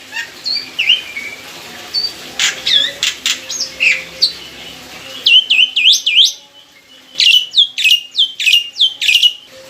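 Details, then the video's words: Loud, clear lure song of a mature caged black-winged myna. It opens with scattered mixed whistles and harsh bursts, then settles into rapid, evenly spaced high notes that each sweep steeply downward. "PANCINGAN BURUNG JALAK PUTIH FULL ISIAN"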